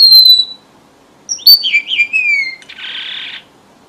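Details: High thin whistle, then a cluster of falling slurred notes and a buzzy rasp. A red avadavat lure song for trappers in southern Vietnam.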